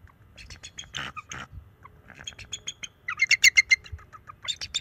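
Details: Young male bald eagle defending the nest from an intruding owl, March 7, 2024, calling from a nest camera view. Quick thin chirps and squeaky notes building into a fast, high twittering run near the end, with soft rustling and wing sounds.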